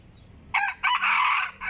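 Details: Decoy chicken gives a loud, hoarse crow: a brief opening burst, then a long strained, buzzy held note breaking off abruptly, with a faint low hum in the background.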